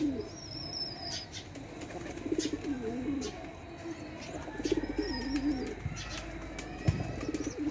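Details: Pigeon mother feeding her young: soft, throaty, wobbling coos rise and fall in short bursts, over steady background hum and faint distant high-pitched bird whistles.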